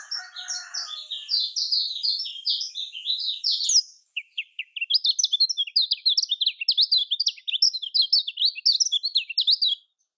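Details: Lemon-bellied white-eye, known in Lombok as kecial kuning, singing its local style: dense high twittering, a brief pause, then a long stream of quick, sharp chirps repeated in rapid succession.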